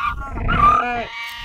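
A Humboldt penguin gives one nasal, braying call of about a second and a half, with rich harmonics and a slight rise, over faint background rumble.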